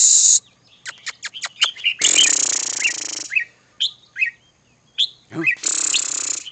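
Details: Red-whiskered bulbul: a run of quick, evenly spaced high chirps, then scattered slurred whistles, with two long hissing noise bursts and one low harmonic call near the end.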